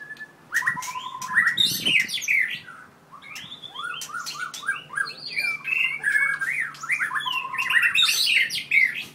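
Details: Very aggressive white-rumped shama, four years old with a 7.6-inch tail, from Merapoh in Pahang, pouring out a fast run of bright zigzag whistled phrases and buzzy chatter after a short pause, with scattered sharp clicks.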